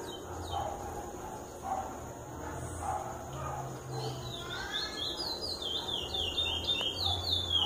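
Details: A captive chestnut-bellied seed finch (curió) singing a fast run of clear, sweeping whistled notes that grows busier toward the end, over a low background hum and faint chirps.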